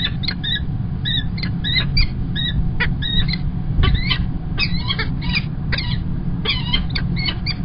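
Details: Male peregrine falcon bringing early breakfast prey at Kingston College, UK, 1 March 2021, gives harsh, scratchy calls in quick bursts, several per second, over a steady low rumble of wind or traffic.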